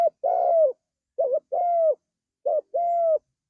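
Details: Spotted dove giving lively, sweet-voiced cooing, presented as training song for keeping doves: soft low coos in pairs, a short clipped note followed by a longer steady coo, the pair repeated three times about every 1.2 seconds, nothing else audible.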